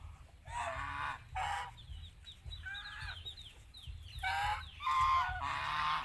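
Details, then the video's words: Geese on an Asian farm giving harsh, nasal honks in bursts of about half a second, several birds overlapping, with a few higher chirping calls between the honks and steady low background rumble. "Amazing life of the geese live in Asia farm"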